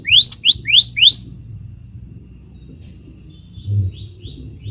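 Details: Scarlet minivet giving four loud, quick, rising whistled notes, followed by silence and then a few faint, thin upslurred whistles; low background hum throughout.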